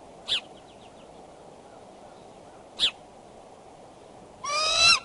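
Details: Courting bald eagles calling near their Decorah nest, 9:30 am on 2 February 2012: two single sharp high chirps about two and a half seconds apart, then a louder, longer harmonic squealing chatter at the end, over constant hiss.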